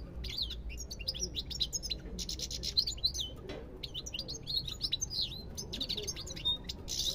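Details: Lively European goldfinch song: rapid tumbling twittering notes, liquid and high, broken by short pauses and a rasping buzzy trill near the end, with a faint low hum underneath.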